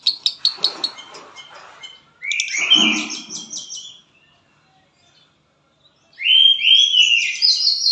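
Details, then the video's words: Lovebird from Palembang in konslet style: quick clicks, then a burst of harsh chatter, a silent gap of about two seconds, and a final loud, rising buzzy warble. "LOVEBIRD KONSLET"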